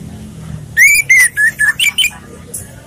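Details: Orange-headed thrush in a relaxed song used to lure or train other birds: a run of clear whistled notes, sliding and slurred, with short breaks between phrases, over faint low background hum.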